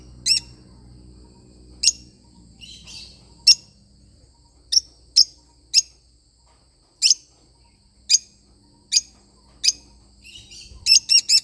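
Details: Lovebird parrot giving sharp high chirps, mostly single and spaced about one second apart, with a quick burst of several chirps at the end.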